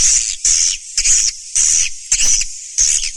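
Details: Swiftlet sound in the Surya Mentari style, 2019: five or six separate buzzy, shrill chirring bursts, each about half a second long, set apart by short pauses.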